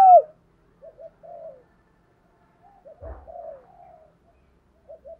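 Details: Spotted doves, male and female, heard for decoy training: one loud coo at the start, then soft, low paired coos and drawn-out murmurs at intervals, with a brief thump midway.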